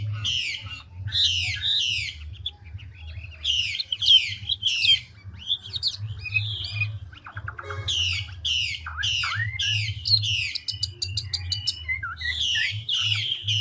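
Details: Chinese hwamei, a large mature forest bird of the five-phrase style, pouring out bursts of loud harsh sweeping notes between brief gaps and softer chatter, with a steady low hum throughout.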